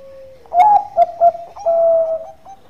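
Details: Bangkok-type zebra dove singing a calm, sweet lure song: a soft lead-in tone, three quick punchy coo notes, then a sustained, gently falling coo that trails off.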